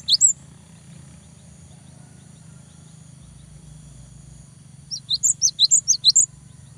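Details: Cinereous tit in full song to stir a rival: one brief note at the start, then after a long quiet gap a fast run of about eight high, thin whistled notes, with a low hum throughout.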